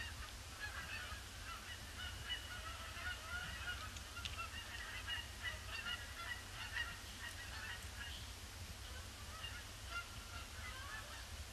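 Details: Large influx of Canada Geese circling a pond before touching down, Boxing Day 2015, under gloomy grey skies. Many distant honks overlap in a continuous chorus, with a constant low-frequency rumble underneath.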